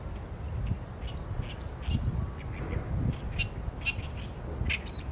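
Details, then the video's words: Oriental reed warbler delivering a steady stream of creaky, chattering notes, some higher squeaky syllables mixed in, with a persistent low background rumble. "개개비 - Acrocephalus orientalis - 大苇莺 - bird song"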